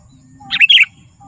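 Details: A single short, bubbly whistled phrase from a sooty-headed bulbul, a quick tumble of three or four clear notes. Lively gacor singing of this kind is used to call wild bulbuls and for song training.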